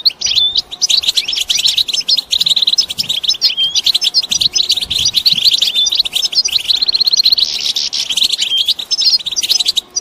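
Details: European goldfinches calling as a group in batbata style, used to prompt males to sing and become excited for breeding; a thick wall of high twitters, buzzy trills and quick chirps running the whole time.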